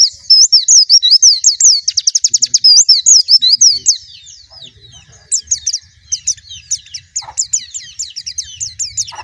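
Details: Extended white-eye song opening with a fast, even trill of high looping whistles, then a softer pause, followed by repeated bright chirped notes in quicker bursts.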